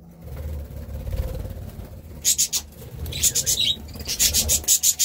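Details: Budgerigar calls as rapid high clicky chirps in quick bursts in the second half, after a quieter start with a faint low hum.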